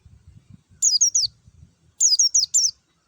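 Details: Clear wild-type white-eye song used as a lure to get birds singing: two rapid bursts of three to four high, downward-sweeping whistled notes about a second apart, soft low rumbling before them.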